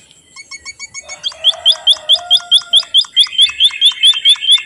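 White-headed munia giving a rapid series of thin, high chirps, about two per second, with a brief low hum beneath.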